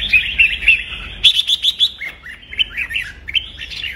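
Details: Red-whiskered bulbul fighting song for stimulating other birds: a string of clear repeated whistles, then a louder run of about five sharp notes and twisting, dropping warbles.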